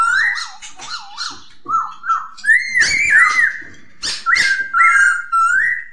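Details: Poksay hongkong, or masked laughingthrush, singing loud looping whistles that rise and fall in wave-like phrases, some with harsh noisy overtones, delivered in quick succession.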